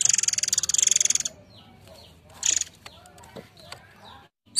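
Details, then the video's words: Murai Air bird song used as a lure: a loud, fast buzzy rattle of rapid pulses lasting about a second, then a quiet stretch with a few faint high notes and a brief sharp note at the end. "Ocehan burung Murai Air"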